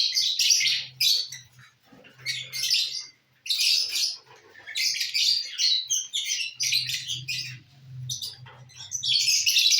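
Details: Lovebirds enjoying corn, keeping up repeated bursts of shrill, grating chirps and screeches, a silent pause near the start, then steady chatter over a faint low hum.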